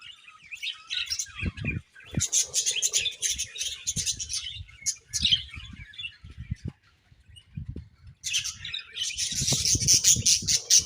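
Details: Budgerigars chirping in bursts of high, raspy chattering warbles, with a quieter gap in the middle, interspersed with low knocking and thumping sounds, and a loud chattering outburst near the end.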